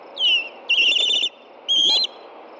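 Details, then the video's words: Osprey at a Montana nest in Hellgate Canyon, alarmed after dark by an intruding juvenile, June 2, 2014: loud, shrill whistled calls, one falling note followed by two longer quavering, piercing whistles, captured close by a nest camera. "ALERTS ~ FLY BYS ~ AFTER DARK! HELLGATE CANYON OSPREYS"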